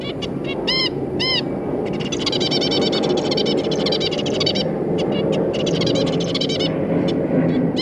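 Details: Zebra finch parents and their three juvenile babies, 3 July 2022: two loud nasal harmonic calls near the start, then continuous fast chattering twitter from several birds over a steady noisy background.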